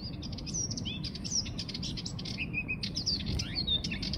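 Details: Sardinian warbler delivering a continuous rattling burst of quick, dry notes mixed with a few clearer whistled slurs, fast and irregular throughout, with a low background hum.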